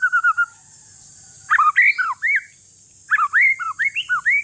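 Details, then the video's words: One-year-old male white-rumped shama of Aceh forest stock, kept to prompt other shamas that are reluctant to sing. Bursts of varied, rich whistled notes, rising and falling and slurred, in quick phrases separated by short pauses, over a steady high hiss. "Si paling ribut murai trah hutan aceh COCOK UNTUK PANCINGAN"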